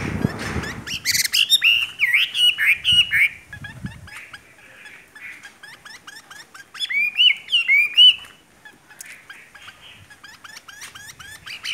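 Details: Caged Chinese hwamei in Vietnam singing a lively run of varied whistled phrases, slurred rising and falling notes mixed with quick chirps, loudest bursts near the start and again around eight seconds, softer twittering between, a low thump at the opening.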